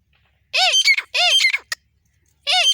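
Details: Female grey francolin calling non-stop in India: two loud, harsh, arched notes with rich harmonics in quick succession, then a pause and a third, against a quiet background.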